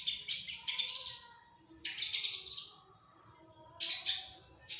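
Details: Long-tailed shrike singing actively, its song full of inserted phrases: short clusters of rasping, chattering notes about every two seconds, with quieter gaps between them.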